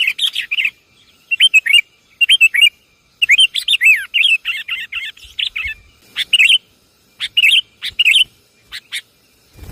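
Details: Sooty-headed bulbul lure call: bursts of bright, bubbly chirping notes in quick clusters, pausing between phrases, with several short sharp high ticks near the end.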